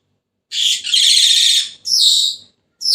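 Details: Senegal parrot letting out a long, raspy, vibrating screech, then a shorter downward-sliding squawk and the start of another call. No background noise.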